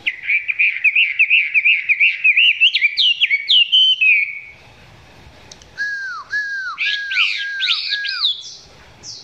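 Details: Close recording of a Chinese hwamei singing below full intensity: a rapid run of bubbling repeated whistles that climbs higher, a quiet gap, then five loud downward-slurred whistles in a row.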